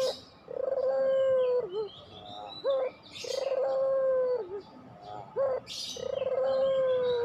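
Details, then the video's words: Repeated phrases of a puter pelung dove, about every two to three seconds: a sharp rising short note followed by a drawn-out smooth low coo; bursts of high twittering from other birds between phrases. "masteran puter pelung"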